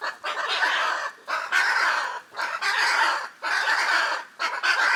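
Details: Hyacinth macaws, huge parrots of the Pantanal in Brazil that live in noisy groups: a series of five loud raucous rasping squawks, each under a second, repeated at a steady pace.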